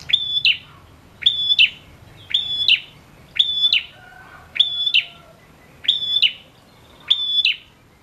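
A male prinia sings loud, sharp, high chirping notes, one burst about every second, seven in a row, with a faint lower tone in the background.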